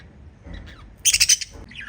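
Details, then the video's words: A lovebird group of five chirping: faint, soft squeaks, then a sudden loud burst of very high, harsh, rapid chirps lasting about half a second, followed by a falling squeak. "Five Little Lovebirds Chirping Sounds"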